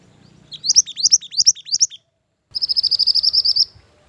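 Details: Song of a mantenan gunung bird, used as a lure and master recording for training birds: four quick high rising-falling whistled phrases, a short pause, then a fast even trill of sharp high chirps lasting over a second.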